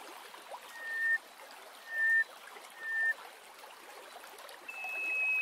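Greater hoopoe-lark giving pure, piping whistled notes about once a second, then a longer, higher drawn-out whistle, over a steady rushing hiss.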